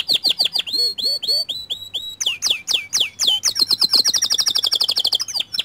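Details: To prompt other canaries to sing, a white canary gives looping whistled notes with lower undertones, then sharp swept chirps, then a quickening high trill.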